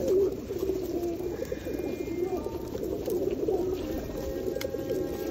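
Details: Overlapping low rolling coos of feral pigeons at a rainy 2021 feeding at Osu Kannon, loudest at the very start, with a faint tonal background sound.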